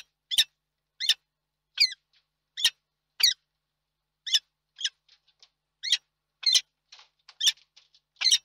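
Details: Peregrine falcon calling at the nest site in Reda, Poland, on 31 March 2022: sharp, grating notes repeated about every half second, with softer, shorter squeaky notes scattered between them.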